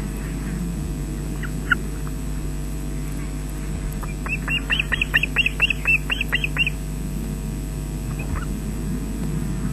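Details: Osprey at a Loch Garten nest in Scotland, filmed by webcam on 20 June 2012 at 13:24 as an adult delivers fish to chicks; about eleven sharp, whistled, slightly downslurred chirps in a quick run over steady low hum.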